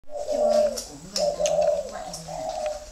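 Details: Spotted dove cooing: two long, mellow, slightly wavering coos near the same low pitch, the first louder, with a softer third coo trailing off and faint low murmurs underneath.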